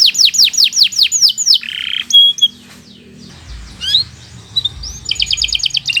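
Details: Canary (Kenari Nusantara) giving long, lively gacor song used as a training recording for young or silent canaries: rapid falling whistled notes, a buzzy trill, brief sharp chirps, then a quick high rattling trill after a quiet pause.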